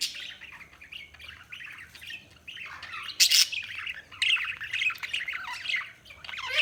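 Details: Continuous budgerigar warbling, a dense run of rapid high chirps and twittering notes that swells into louder bursts of chatter.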